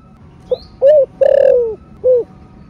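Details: Spotted dove cooing in the 'thổ sấm đồng' or 'thổ rền' field voice, used to stimulate caged doves: a short note followed by low, steady, drawn-out coos, with the longest one in the middle, over faint background noise.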